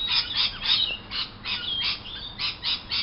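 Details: Lorikeets call together outside a window at morning. The squawks are grating and buzzy, with shrill bursts overlapping in quick succession and thin whistled notes woven between them.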